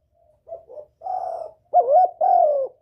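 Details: Lure call of a spotted dove used to attract a male, opening with two short, soft notes, then a drawn-out coo, followed by a louder pair of mellow coos, the last gently falling.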